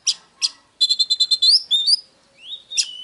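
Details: Oriental magpie-robin singing, used to stir up other birds: two short buzzy notes, then a fast run of repeated clear whistles near one pitch, rising slurred whistles, and a final upward glide into a held whistle.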